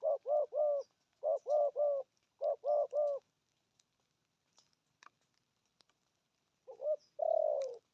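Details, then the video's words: Spotted dove cooing in 'thổ âm' style, three quick groups of three low hollow coos, then a silence with faint clicks before a short note and a long falling coo. "Thổ âm cực phê! thuc gù thúc kèm bài bản"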